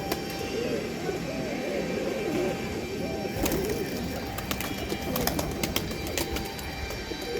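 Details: Pigeons giving low, wavering coos that rise and fall in overlapping phrases, mixed with frequent sharp clicks and taps throughout.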